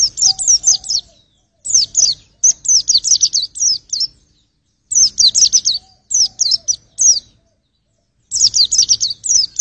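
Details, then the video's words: Repeated phrases of quick, high, slurred chirps from a white-eye, each phrase a tight flurry of notes followed by a pause of about half a second or more. "pleci buat ngetes vokal"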